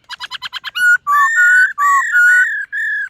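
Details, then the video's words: A white-cheeked laughingthrush practising its morning song begins with six quick clipped notes, then pours out long, level, clear whistles in a loud unbroken sequence. "Khướu BẠC MÁ hót MÚA luyện giọng . Khướu hót sáng luyện giọng kích bổi"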